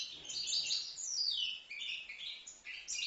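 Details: European goldfinch, a young bird of five months from Livno, pouring out dense, liquid twittering with a clear downward-sliding note partway through and fast jumbled chirps throughout.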